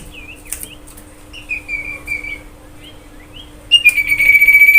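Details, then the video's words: Common iora song played to lure other birds into singing: sliding whistled notes near the same pitch with faint clicks, ending in a loud, steady, sustained whistle with a ringing tone. "cipoh kicauan paling merdu"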